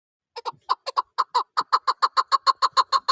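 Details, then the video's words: Hunting chukar partridge calling in the snowy season: after a few hesitant starts, a run of short, clucking chuck notes settles into a steady, fast rhythm, each note the same hoarse, mid-pitched bark. "Shikari Chakor ka Awaz Barf Mosumبرف اورشکاری چکورمستی آواز"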